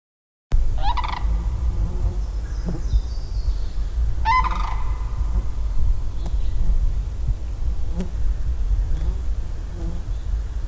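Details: A sandhill crane, an early spring, resource-based migrant in Michigan, gives two loud, rolling, rattly bugles about three seconds apart, over a steady low rumble with faint clicks.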